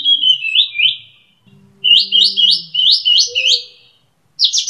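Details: Kapas tembak bulbul giving slurred, upward-sweeping whistled notes in a loose series, with faint low tones in the background.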